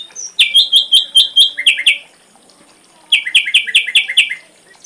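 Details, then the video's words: Ashy drongo full-repertoire tutor recording for songbirds: two quick series of repeated down-slurred notes, each about five per second, separated by a silent gap of about a second. "Masteran srigunting abu abu isian lengkap"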